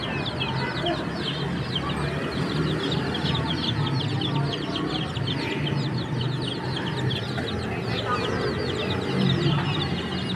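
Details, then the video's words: Chicks chirping outdoors in nature; a dense, continuous chorus of high, rapid peeping notes from many birds, steady and loud throughout, over a low background rumble. "Relaxing Chicks Chirping Sounds in Nature"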